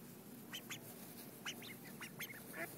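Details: Several ducks calling while being fed in 2011: a run of short, harsh quacks, some doubled, heard faintly over constant broadband hiss.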